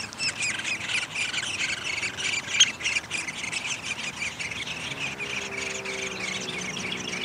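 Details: High, dense chattering from a downy woodpecker nest during feeding, May 20, 2021, with quick overlapping chips that are thick at first and thin out toward the end.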